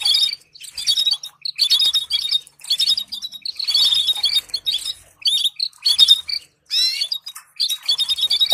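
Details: Canary trills used for song training: choppy, stop-start phrases of high chirping and buzzy notes, with a distinct falling-and-rising sweep near the seventh second.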